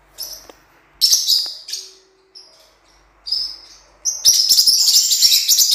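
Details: Blue-winged parrotlet, cuiubinha, recorded for training: scattered high chirps separated by pauses, then a dense continuous burst of rapid, shrill twittering in the last two seconds.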